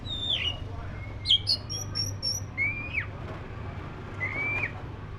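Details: Black-breasted oriental magpie-robin: a few drawn-out whistles, one falling, others rising then dropping, with thin high pure notes in between and long gaps, a low hum underneath.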